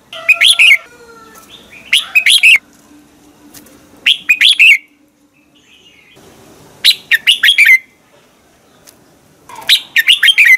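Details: Red-whiskered bulbul in morning song, recorded as a lure to stimulate other birds to sing: a steady series of short, chirpy whistled phrases about two seconds apart, each with four or five quick notes.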